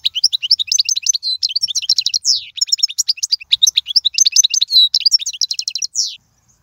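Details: European goldfinch song used to teach young birds: an unbroken stream of quick, sparkling chirps and tinkling notes, with two loud downward-sweeping whistles, ending abruptly.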